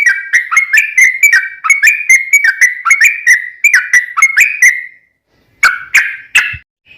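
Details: Yellow-vented bulbul in lively form singing a long rapid 'ropel panjang' style song, used as a lure to make other bulbuls answer: fast bubbly whistled notes repeating without pause for five seconds, a short silence, then three louder chattering bursts.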